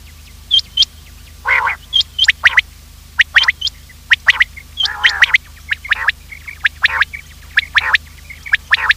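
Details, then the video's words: Quail calls played as a morning hunting lure to draw quails in: short, sharp chipping notes in quick irregular bursts, mixed with a few longer rasping, buzzy notes, over a faint steady low hum. "Quail trap sound effect : lure in Quails with this effective call | Bater Awaz Subha"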